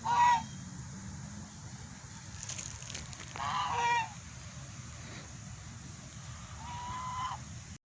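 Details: Swan calling with short nasal honks spaced a few seconds apart, a brief clatter in between, over a continuous low outdoor rumble.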